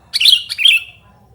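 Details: A sooty-headed bulbul gives noisy calls, a recording meant for luring and tutoring quiet birds: two quick, harsh, scratchy notes in close succession, loud and clear against near silence.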